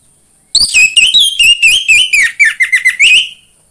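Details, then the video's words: Orange-headed thrush song used to spur a kept bird into singing: a continuous three-second run of quick, warbled whistles, each note bending up or down, delivered in a fast stuttering sequence. "PANCINGAN AMPUH UNTUK BURUNG DIRUMAH UNTUK SEGALA JENIS ANIS MERAH SUAPAYA CEPAT GACOR"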